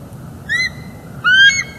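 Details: Two short, upslurred, whistled squeals from a bald eagle at its northeast Florida nest, picked up by a live cam on a December 2021 morning when the pair mated and called before returning to incubating.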